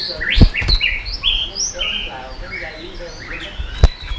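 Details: Singing white-rumped shama, 'yến reo' style meant to provoke rival birds: short whistled notes and chirps scattered across the clip, with two sharp low knocks near the start and end.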